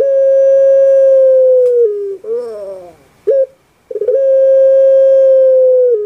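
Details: Captive puter pelung dove, Java, Indonesia, singing a drawn-out steady coo that drops in pitch, then a gravelly rolling gurgle, a short clipped note, a pause, and another long coo.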